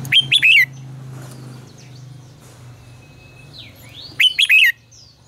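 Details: Red-whiskered bulbul singing, recorded to train other birds' voices: a loud, rich phrase opens and another follows about four seconds later, with soft rising-and-falling whistles in between.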